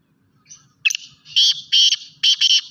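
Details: Black francolin (kala teetar), a full-size Sindhi-type bird, gives a harsh, grating call: a brief scratchy lead note followed by three loud rasping bursts, the last one split in two. Faint low rumbling sits in the background.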